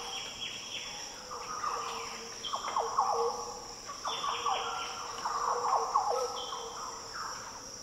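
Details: Green orioles singing in the Daintree rainforest, Australia: deep, liquid, fluty phrases that overlap and answer one another, with a steady high insect drone throughout.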